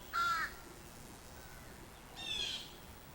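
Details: An American crow in a backyard on July 29 gives two harsh, nasal caws about two seconds apart, the first loud and close, the second softer, over faint outdoor hiss; the crows are excited, with a fledgling and the male perched just above the camera.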